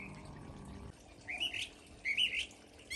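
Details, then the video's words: California thrasher singing in a California garden among fruiting fig trees: two rich, varied phrases of slurred, rising notes about a second apart, after a brief low rumble at the start. "If you hear that and you're in California, you'll know that beautiful, melodious bird is the California thrasher."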